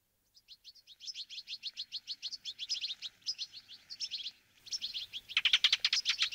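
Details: Fieldfare (Turdus pilaris): a rapid series of short, high chirping notes, several per second, builds into louder harsh, broadband chattering toward the end.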